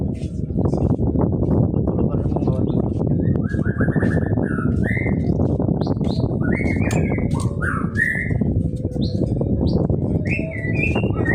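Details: Greater green leafbird song: short whistled phrases with sliding, warbling notes repeated through the recording, set against constant heavy low-pitched background noise.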